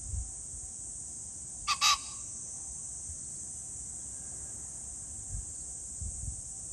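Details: Pheasant calling on 21 July 2024: a short, harsh double burst, two quick rough notes close together, set against a steady high insect-like hiss and low rumbling background noise.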